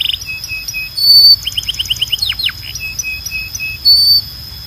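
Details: Belgian canary song for training birds: soft repeated whistles, a loud pure tone, a string of quick chirps and two deep sweeps, more whistles and another steady tone.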